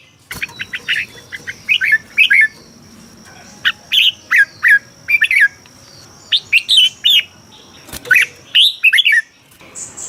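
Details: Caged-bird recording from Thailand of a red-whiskered bulbul, used to make other birds lively: clear whistled phrases of two to four looping notes, spaced by short silences, a thin constant high whine and faint background hiss throughout.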